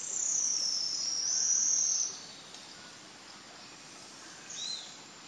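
White-throated Shrike-Tanager giving a thin, very high, slightly wavering whistle of about two seconds, followed later by a short dropping note.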